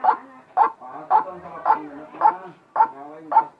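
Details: Unusual white-breasted waterhen calling: seven rough, honking notes at an even pace of about two per second, with softer rasping in the gaps.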